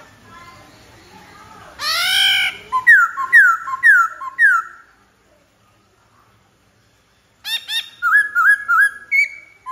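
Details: A harsh, broad rasping burst opens this white-browed laughingthrush song. Four sharp downslurred whistles follow, then silence, then a lively cluster of rapid rising and falling notes.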